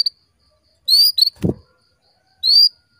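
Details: Female canary calling to stimulate males into breeding condition: three short, high whistled notes, each rising and bending slightly upward, separated by a quiet gap, with a dull thump midway.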